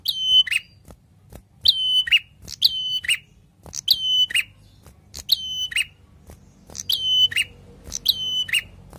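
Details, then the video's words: Prinia in full, lively song, repeating a short click-whistle-buzz phrase roughly every second, about eight times, with faint ticking notes in the pauses. "PRENJAK GACOR SUARA NGALUN MANTAP MANTAP!"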